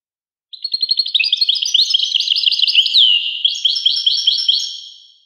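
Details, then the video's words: Singing European goldfinch: an opening series of quick, even chirps builds into a jumbled, bubbling twitter, with a sweeping downward slur midway. The song then continues in another rippling burst before fading. "Carduelis carduelis. song Carduelis carduelis pure and Nice-Birds The song"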